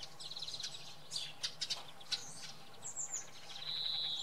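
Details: Common redpoll early in the morning at Oksywie, giving clipped chattering notes in quick bursts, then a dry, even buzzy trill at the end, with other high chirps overlapping and a low background hum.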